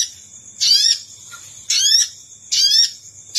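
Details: Sogon call played as a lure for wild birds: scratchy, buzzy bursts of quick falling notes, three full phrases close together, a faint short note between, and a constant high hiss.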